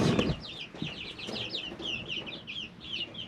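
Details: Young chicks, three weeks old, in a brooder, giving rapid high chirps in a continuous chorus, opening with a brief rustle and low thump.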